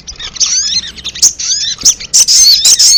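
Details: Lure recording of a ruby-cheeked sunbird, made to call wild birds in quickly: busy, high-pitched chattering with thin rising and falling whistles and sudden loud bursts of sharp chips.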